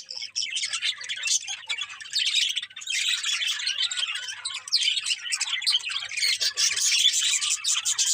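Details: Morning chirping from a crowd of birds, a continuous bright wash of shrill tweets and quick twittering notes, steady and busy throughout with no other sounds.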